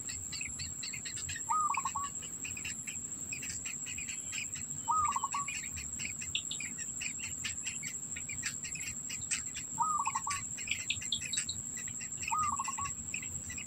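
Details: Black bittern at the nest keeping food in its mouth for its young; four short stuttering calls spaced irregularly, each a flat note then quick pulses, beneath a dense chorus of insect chirps and a steady high whine.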